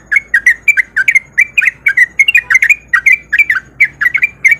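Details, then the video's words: Sooty-headed bulbul, a male in breeding condition, singing the rapid 'ropel' style as a lure to set other bulbuls singing: a fast, steady chatter of short bubbly notes, about four per second, through all five seconds with a quiet background. "Pancingan Trucuk Gacor Biar Trucuk yang Malas Bunyi jadi Ikutan Bunyi"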